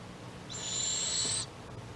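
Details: A young Barred Owl, one of two owlets at a nest box at Lake Okeechobee, Florida, 5 March 2017, gives a single harsh, hissing rasp lasting about a second, high and breathy, against a quiet background.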